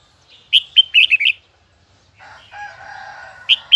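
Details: Huế-type red-whiskered bulbul belting out a high, twisting double-note song: a quick run of bright chirped notes, a pause, a softer lower warbling passage, then two sharp notes.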